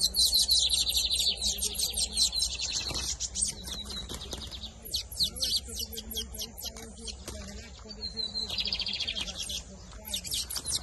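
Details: Lined seedeater (bigodinho), camelão and torneiro song styles, 2023 season, pouring out rapid high buzzy trills and crisp chips in long bursts, over a low steady hum with faint voices and other bird notes.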